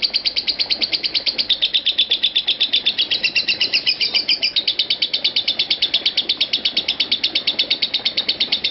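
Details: Continuous ngekek from a lovebird performing more than five minutes without a break; dense, high, rattling trill of evenly spaced notes, unbroken across the span.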